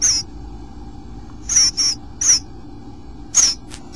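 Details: Bluebird at its nest on day 8, giving short, high, thin notes that fall slightly in pitch, about six in four seconds in uneven clusters, with a faint steady hum behind.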